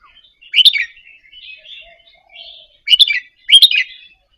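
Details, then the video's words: Indonesian-type red-whiskered bulbul practising gentle double-phrase song to excite caged birds; one chirpy warble, soft chatter, then two quick bright phrases in succession. "นกกรงหัวจุกอินโดหัดเบิ้ลปากเบาๆ เปิดกระตุ้นนกคึก นกร้องตาม"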